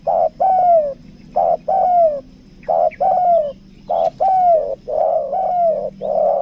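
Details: Lure spotted dove, 'kuk dua' style, Lombok; repeated paired coos, a short note then a longer falling one, roughly once per second, with a brief click and overlapping coos toward the end.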